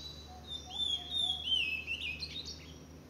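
A blue-black grosbeak sings a sweet, slurred warble of high, rising and falling notes for about three seconds over a faint steady low hum.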